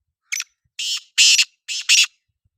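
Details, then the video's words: Black francolin (kala teetar) calling: a brief high lead note followed by four loud, harsh, grating bursts spaced over about two seconds, the last two closely paired, against clean silence. "Kala Teetar bolai | Kala Teetar ki awaz"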